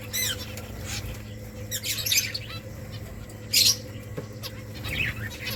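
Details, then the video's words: Finches making nests in a colony: scattered single high chirps and short twitters with gaps between them, one louder sharp call near the middle, low hum in the background. "Finches making nest Finches chirping sounds beautiful finches colony"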